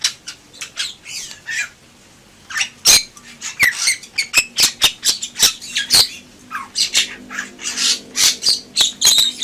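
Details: Bali myna (jalak bali) in vigorous 'gacor' song: rapid series of harsh squawks, sharp clicks and raspy bursts, pausing briefly near the start, then nearly continuous chatter.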